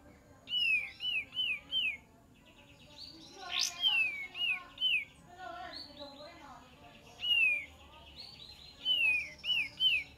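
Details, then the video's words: Kapas tembak song used to lure wild birds: clusters of three or four quick looping whistles separated by pauses, with a sharp click and softer chattering between phrases. "PANCINGAN KAPAS TEMBAK DIJAMIN NYAUT"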